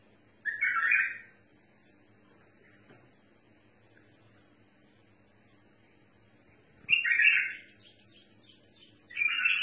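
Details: A bulbul sings in the tawr mutawa'i style, uttering brief warbled, whistled phrases separated by long pauses of about six seconds, with a quiet low hum underneath.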